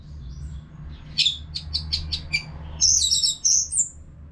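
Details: Orange-headed thrush from North Bali, Singaraja, caged and singing continuously for training other birds. A series of short, evenly spaced chirps leads into a dense cluster of very high twittering notes. A low room hum is present.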